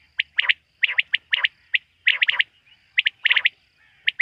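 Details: Quail at night, hunted locally, calling repeatedly: quick clusters of bright, clipped notes with raspy undertones, coming in close succession over a faint low background hum.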